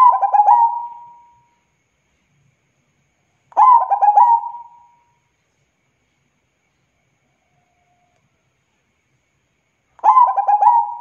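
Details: Local zebra dove, called perkutut, singing in full voice: three loud bursts of rapid bubbling coos around one pitch, each ending in a long drawn-out trailing note, spaced by several seconds of silence.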